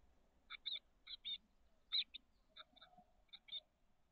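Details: Thirteen-day-old chestnut-backed chickadee nestlings in a nest box, SF Bay south peninsula, May 2023. Fairly soft, brief raspy notes, often paired, are spaced irregularly over a quiet background.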